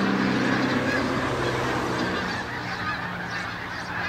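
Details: Canada geese in large numbers flying over Farnham early on 18 December 2015, quick repeated honks from many birds at once, loudest at the start and easing a little, with a steady low drone underneath.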